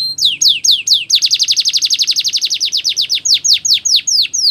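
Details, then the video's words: Canary song for training: sweeping downslurred whistles, then a very fast rolling run of bright notes, returning to spaced, loud downslurs. "Canary's Most Powerful Song For Training"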